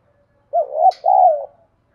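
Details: Spotted dove call for luring other doves: two drawn-out mellow coos, the first rising and falling, the second long and gently descending.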